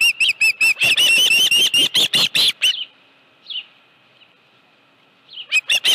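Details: Osprey with a live fish at the Dunrovin Ranch nest, 25 July 2018, afternoon. A rapid series of loud, shrill chirps lasts nearly three seconds, then near silence with one faint whistle before the chirping resumes.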